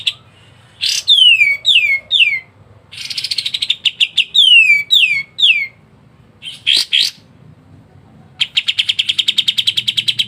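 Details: White-shouldered triller in dense, rapid 'ngebren' singing, kept as a tutor recording for songbirds: high sharp chirps, repeated down-slurred whistles, bursts of clicks and a fast even trill near the end, over a faint low hum.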